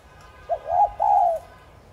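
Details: Single thúc gù phrase of a spotted dove, used to stimulate other doves: a brief low coo, then two longer slurred, gently arching notes.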